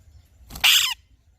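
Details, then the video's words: An Alexandrine parakeet gives a single loud, raspy, high-pitched screech lasting about half a second, against a faint low background hum. "Alexandrine Parrot Chirping Sounds"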